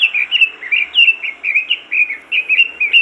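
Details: Robin singing hard to trigger song in other robins: a rapid, even run of high sweeping whistled chirps repeated several times a second.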